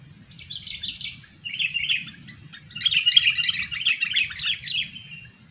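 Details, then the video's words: Sooty-headed bulbul kept as a two-year-old lure bird gives short bursts of bright twittering, then a longer, louder, jumbled chattering phrase, over a constant high hiss and a low hum. "Pikat burung kutilang , burung kutilang pikat umur 2 tahun"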